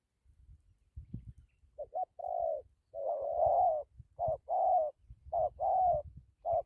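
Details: Spotted dove with a strong, good coo, uttering a run of deep mellow coo notes, some short and some drawn out, in a quick irregular sequence over faint low rumbling and knocking noise.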